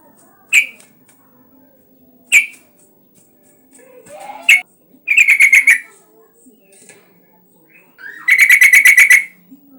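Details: Yellow-vented bulbul lure recording to stimulate other bulbuls to sing: single sharp chirps spaced about two seconds apart, then two rapid bubbling rattles of pulsed notes lasting about a second each.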